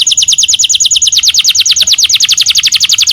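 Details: Steady canary trill at home, evenly repeated sharp whistled notes at a fast, regular pace throughout.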